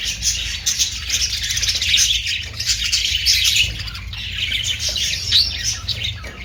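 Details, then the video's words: Australian parrot (budgerigar) calls: constant bubbly chatter of squeaky chirps and short squawks, fairly even in loudness, over a faint low rumble. "Austrailian perrot sound"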